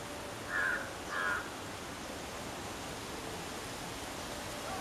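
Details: Two short, sharp jackdaw calls in woodland close together in the first second and a half, followed by steady background hiss with no further calls.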